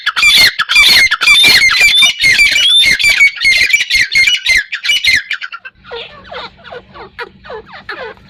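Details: Partridge (teetar) giving a loud, rapid series of harsh, raspy squawks with thin whistled streaks for about five seconds, then fainter, lower, downslurred calls over a low hum.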